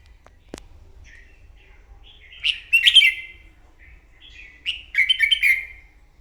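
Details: Morning duelling song of a newly caught red-whiskered bulbul: after a sharp click, soft chirps build into two lively bursts of rapid, rolling, slurred notes near 2.5 and 5 seconds, clear against a quiet background.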